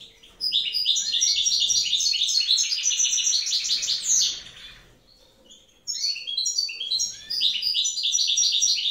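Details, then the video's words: Evening song of a wild European goldfinch from a pair whose female is sitting on eggs: a long, fast, unbroken stream of bright twittering and jingling notes, a second of silence, then the tumbling chatter resumes with buzzy trills. "chant chardonneret sauvage,"couple" غناء رائع في المساء لطير الحسون اثناء حضن الأنثى للبيض"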